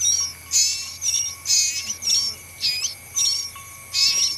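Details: A pin-striped tit-babbler in nature gives short, high chattering bursts about twice a second over a thin, steady, insect-like whine.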